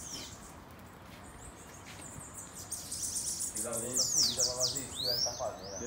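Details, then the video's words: Bananaquit singing in a campeada: after a quiet start, a burst of rapid, very high, down-slurred notes and sweeping chips, with Portuguese speech in the background. "PRA DEIXAR QUALQUER SIBITE LOUCO 😱 Campeada com Sibite"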